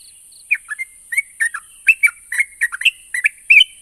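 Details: Yellow-vented bulbul song, used to prompt silent birds to answer; a series of short, bubbly, liquid phrases of two or three notes each, repeated every few tenths of a second, with a steady high-pitched hiss throughout.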